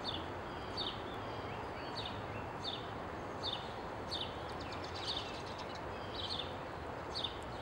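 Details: American goldfinch at a feeder gives short, sweet, high descending notes about every second, some in quick doubled bursts, over a steady rumble of background noise.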